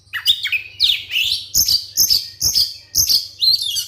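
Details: Captive white-rumped shama giving a lure song to provoke other shamas: sweeping whistles, then a run of similar short phrases repeated about every half second, above a faint hum.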